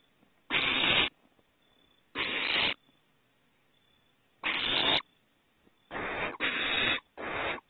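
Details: Owlets on their second outing outside the nest give harsh, breathy hisses, six rasping bursts of about half a second each at uneven intervals with quiet pauses, at Starr Ranch on 21 April 2018.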